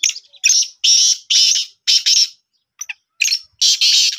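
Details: Pet black francolin during training calls in rapid harsh, scratchy bursts, several long rasping notes in quick succession, a short break, then more rasps; no other sounds stand out.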